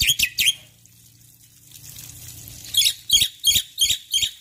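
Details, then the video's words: A male Black-winged myna sings briskly in the morning. Two harsh, high notes are followed by a pause filled with trickling water, then five evenly spaced scratchy notes. "Jalak Putih Jantan Gacor Pagi Hari"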